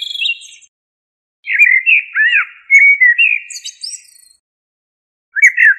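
A common blackbird sings rich, fluty warbled phrases that dip and rise, ending in higher scratchy twitters, with short pauses between phrases.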